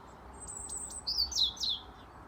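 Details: European robin singing in a Dublin garden on 18 February 2024: a brief phrase of thin, very high drawn-out notes, then three quick, sharply falling warbled flourishes, over a faint steady background hum.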